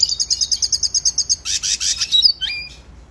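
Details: Song of the red siskin used as a training song: a rhythmic series of about a dozen evenly spaced high chirps, a dense buzzy burst, then two clear downward-sliding whistles before fading.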